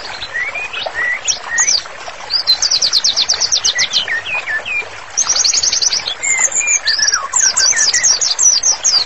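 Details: Singing white-rumped shama from a therapy master recording: long, fast trills of repeated high notes, interspersed with lower slurred whistles and varied chirps, loud and clear.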